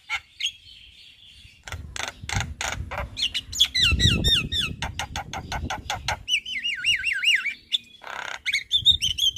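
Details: Javan myna singing its full varied repertoire in daytime in front of a house: harsh broadband bursts, rapid repeated chips, and warbling wavy whistles, with low background rumble and noise.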